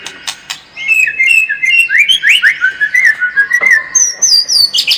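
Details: Lure song of a white-rumped shama, meant to make the bird more of a fighter: a fast run of short, slurred whistles, varied in pitch, with a few higher notes at the end.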